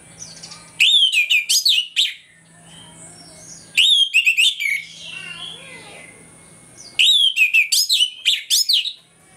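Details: Morning song of an orange-headed thrush, in the loud ngeplong style, played as a lure to make other birds agitated; three rich phrases of rising whistles and rapid trills, repeated every three seconds, with quieter chatter between and a faint low hum.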